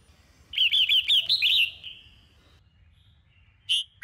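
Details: Morning training song of a Sông Kôn red-whiskered bulbul: a rapid run of five or six bouncing, fluty notes fading into a thin tail, followed by two brief sharp chirps after a silence.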